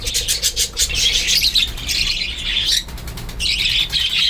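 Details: Young budgerigar chicks of a size suitable for taming, some with eyes not yet open, chatter continuously in a dense, high-pitched stream of overlapping scratchy chirps.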